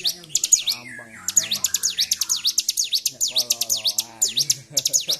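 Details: Bar-winged prinia in a highly emotional, agitated state, 26 February 2023, pouring out fast, shrill chirps in a steady run, with muffled lower background sounds throughout.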